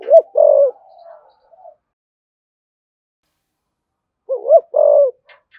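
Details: Spotted dove cooing in the deep 'thổ sấm' style, with urging (thúc gù) and calling coos: two low phrases, each a quick wavering double note then a longer drawn-out coo, with a soft trailing note after the first.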